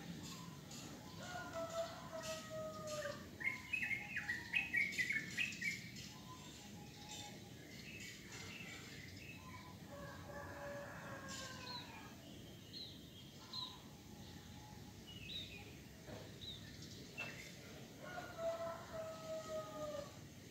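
Wild birds singing in the morning, with clear whistled phrases and busy chirping.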